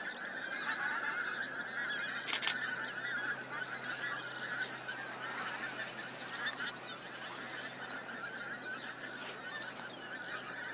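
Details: Flock of pink-footed geese at Starene, 2023, giving an unbroken chorus of rapid overlapping honks, about two calls a second, with a loud burst near 2.3 seconds.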